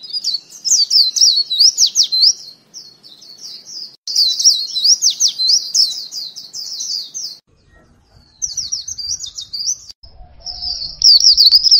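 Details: White-eye used as a lure bird, singing a fast, high twittering song of rapid warbled notes in long bursts broken by short pauses, with faint low rumbling between phrases.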